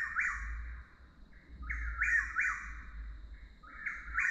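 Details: A Chuck-will's-widow calls nonstop, repeating rolling, whistled phrases that rise then dip, several times in quick succession over a low rumble of wind; the species is very vocal under certain light conditions and is often mistaken for a Whip-poor-will.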